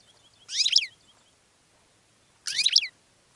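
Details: Goldfinch singing two brief, packed bursts of sharp, tinkling twitters roughly two seconds apart, set against a quiet background with a faint row of soft high ticks near the start.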